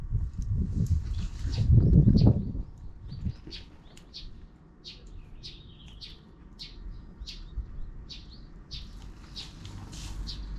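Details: Afternoon chatter from several sparrows out of view: quick, high chirps tumbling in a busy run, with a brief low thump near the start and faint background hum.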